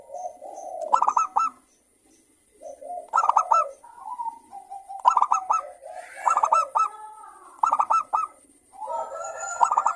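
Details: Local zebra dove, a frequent singer with a clear crystal voice, used to coax other doves into song. Repeated phrases of soft low cooing each end in a loud cluster of sharp, ringing notes, every two to three seconds.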